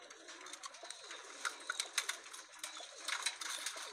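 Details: Pakistani high flyer pigeons kept as a lot, heard indoors with a dense wash of sharp clicks, flutters and short bright calls throughout, rising in bursts toward the end.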